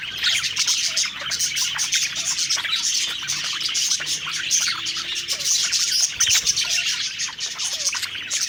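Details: Budgerigars, several birds, chattering and singing contentedly as they eat; steady busy high-pitched twittering with fast chirps and short whistled notes layered over one another throughout.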